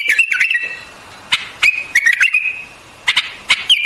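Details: White-eared bulbul giving bubbly, slurred whistled phrases that rise and fall, separated by sharp single clicks and a second of near silence.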